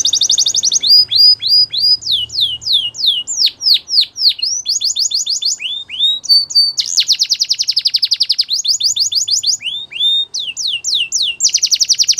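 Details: Canary song with loud high rolling trills alternating with series of sharp downward-slurred whistles, several notes per second, varied tours over twelve seconds; clean recording with little background.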